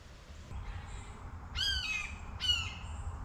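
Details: Blue Jay on a windy day giving two harsh, downslurred jeering calls about a second apart over a steady low wind rumble.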